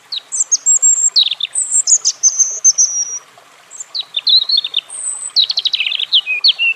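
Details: A European robin sings thin, very high drawn-out whistles followed by descending note clusters. After a brief pause come warbled phrases and a fast stuttering trill.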